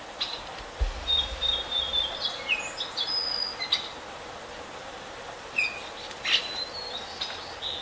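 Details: Whistled phrases from adult and juvenile Baltimore orioles: thin sliding whistles and brief clear notes spread unevenly through the recording, with a dull thump early on and constant soft outdoor hiss.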